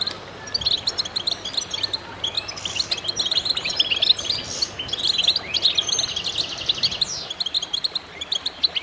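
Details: Many goldfinches in concert, delivering a lively, continuous stream of high twitters, sharp chirps and short rattling trills, loud and crowded from start to finish.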